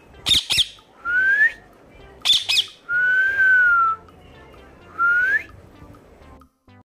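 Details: Green Indian ringneck parrot, kept as a pet and in a very happy mood, playing with its family: loud clear rising whistles and one long level whistle, alternating with sharp squawks.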